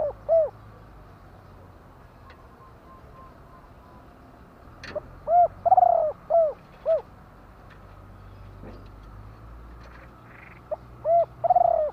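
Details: Spotted dove coos in separate bursts: clusters of short hollow notes around one longer falling coo, with silent gaps of several seconds between bursts and faint background hum.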